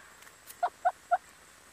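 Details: Hornbill giving three loud, nasal, honking notes in quick succession, about a quarter second apart, over a quiet background with a faint steady hiss.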